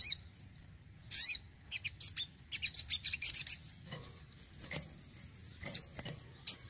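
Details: Crimson sunbird (sogon) kept at home: squeaky slurred phrases leading into a fast chattering series, then a thin sustained buzzy trill with sharp ticks and a last high note.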